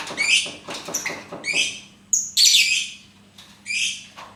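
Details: Lovebird, kept as a pet, giving a series of harsh, high, rasping chirps in short bursts of about half a second, with brief pauses between them and a steady low hum in the background.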